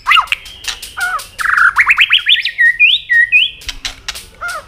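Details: White-rumped shama singing hard to provoke rival birds: loud swooping whistles, then a fast series of rising buzzy sweeps. Steady higher whistled notes and sharp clicks follow.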